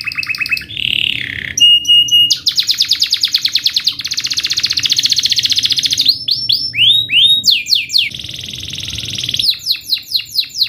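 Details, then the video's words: Canary training song for young canaries, mixing a warbled phrase, steady piping notes, long buzzy high trills and loud repeated downward sweeps in quick succession. "Canary singing video - Canary's most powerfull song for training"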